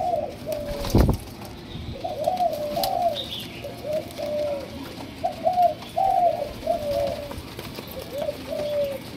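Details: A spotted dove, described as a two-month-old Malaysian bird, gives soft, low cooing notes in short slurred phrases, repeated through the clip, with one sharp knock early on.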